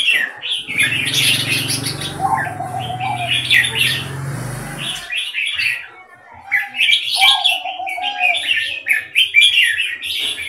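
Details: Red-whiskered bulbul singing at a contest of caged birds, delivering lively warbled and chirping phrases throughout, while a low rumbling noise runs beneath the song for the first few seconds.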